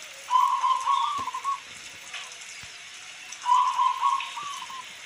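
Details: Local zebra dove delivering two clear, bubbling coo phrases, each a quick stutter run ending in a brief held note, about three seconds apart, with rain pattering behind.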